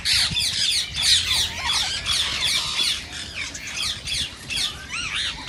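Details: Green ring-necked parakeets produce continuous rasping, high screeches in quick succession, with some rising and falling notes toward the end. The sound is said to encourage singing and mating.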